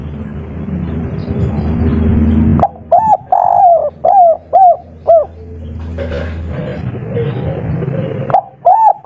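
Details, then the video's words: A local wild spotted dove gives a rapid run of soft, mellow coos, about two a second, rising then falling, over a low background hum. "Derkuku kuk3 lokal gacor ngamuk bikin ribut full emosi || suara empuk"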